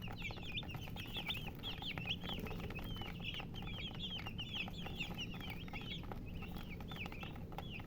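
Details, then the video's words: A brood of chicks chirping busily, high rising-and-falling peeps repeated several times a second, set against a low continuous hum. "Baby "Chicks Chirping" Sound"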